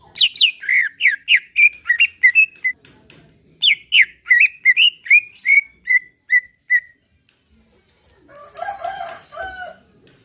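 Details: Greater green leafbird in relaxed-style song, used to coax a caged bird into singing: a quick run of clear whistled notes sliding down, about two or three per second, pausing, then a brief rougher lower burst near the end.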